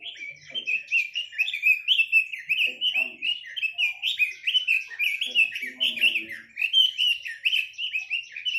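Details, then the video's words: Chinese hwamei delivering a long, unbroken stream of bright, varied whistles, each note swooping or stepping in pitch, fast and continuous for several seconds with only tiny gaps. "Tiếng chim quế lâm"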